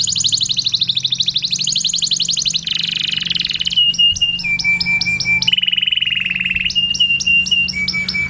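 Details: Canary singing fast, buzzing high trills, then a series of sharp chirps with slurred whistles and a lower rapid roll, all in rapid succession, with a steady low hum in the background.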